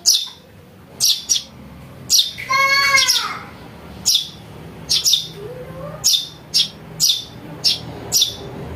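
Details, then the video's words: House sparrow chick calling to lure birds: sharp, high chirps at irregular intervals, with a longer harmonic, buzzy call near the third second. "Suara anak burung greja untuk mikat"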